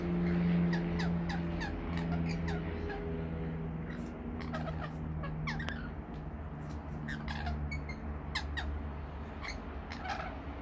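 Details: Rainbow lorikeets feeding on sweet nectar mix give sharp, harsh screeches and chattering bursts, several a second at times, over a steady low mechanical hum.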